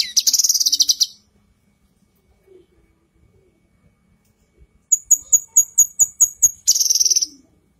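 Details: Female cucak kinoi leafbird, kept as masteran for other birds: a buzzy rattling trill, a long pause, then a run of crisp repeated high chips leading into another harsh buzz.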